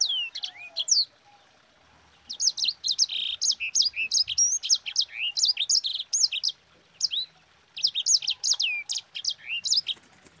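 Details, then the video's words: Long rolling song of a sanger, used as a tutor recording to spur other birds to sing; several runs of rapid, high, sharply rising and falling whistles, chirps and short trills, separated by brief gaps. "Suara Burung SANGER GACOR Ngerol Pedas paling ampuh untuk Pancingan"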